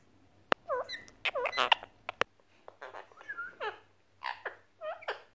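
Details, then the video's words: Rose-ringed parakeet (Pakistan/Indian ringneck parrot) performing a display ("kur") chatters in quick, varied bursts of nasal, bending notes and sharp clicks, mixed with short squawks, in a quiet room. "KUR YAPAN PAKİSTAN PAPAĞANI"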